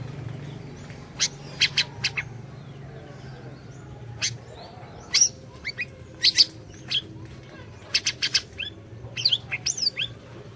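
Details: Energetic orange-bellied leafbird song for luring a silent bird to sing: many sharp high chirps in quick clusters and short trills spread through the clip, over faint low hum.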